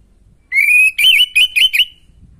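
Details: Orange-headed thrush song meant to spur a bird with low breeding drive: one long rising whistle followed by four quick, warbling whistled notes, loud and clear.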